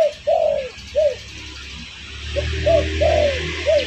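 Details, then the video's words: Spotted dove call played as a lure to draw in birds, with repeated mellow, arched coos in quick groups of three or four and a low droning hum behind. "Suara pancingan burung derkuku bakalan ampuh"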